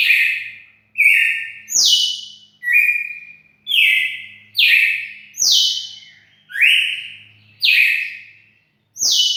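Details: Steady song of a red-cowled cardinal: about nine bright whistled phrases in quick succession, each starting high and falling onto a held tone, alternating slightly higher and lower pitches, with no other sounds.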